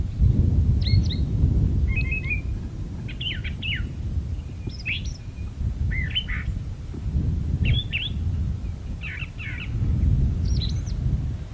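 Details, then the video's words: Brown thrasher in a magnolia tree delivering a string of varied, rapid phrases, many repeated twice in a row, with buzzy notes and sharp upslurs separated by brief pauses, against constant low-pitched background rumble. "Brown Thrasher in Magnolia Tree"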